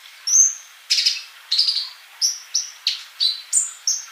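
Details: Olive-backed sunbird male in song, a model for young birds still silent: a series of high chirped notes with short whistled tails, roughly one and a half per second.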